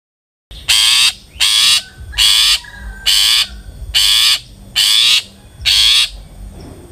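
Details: Long-tailed shrike lure recording used to prompt birds to sing: seven loud, harsh, broadband rasping notes, each about half a second long, repeated roughly every 0.8 seconds after a brief silence.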